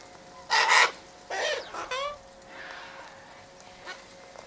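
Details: A flock of Sulphur-crested cockatoos feeding on tossed sunflower seeds, wheat and birdseed gives harsh, raucous screeches: two loud bursts, then quieter squawks, with fainter calls trailing off behind.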